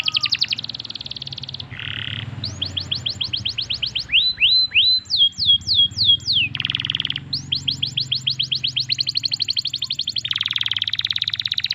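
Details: Varied canary song used to get other canaries singing: alternating buzzy blocks, lower rolls, clipped descending sweeps and rapid rising-note trills, with a faint low background hum.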